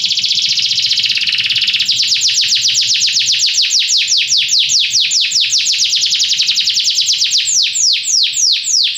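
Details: Belgian canary holding a continuous buzzy trill that turns into a long series of fast, sharp downward-sweeping notes, steady and rapid throughout, with a faint low hum underneath.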